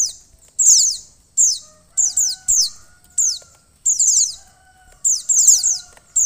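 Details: A female mountain white-eye gives calls meant to rouse a male: rapid runs of piercing, downward-sweeping chirps, repeated in clusters about every half second to second, with faint low tones underneath.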